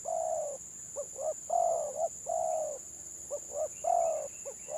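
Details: Spotted dove, village type, in 'gagap' song: long low coos alternate with quick stuttered double notes in an irregular sequence. A steady high whine is present throughout.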